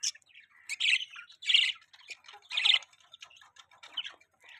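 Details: Budgies give bursts of harsh, buzzy chirps about every second, with quieter twittering between the louder squawky notes.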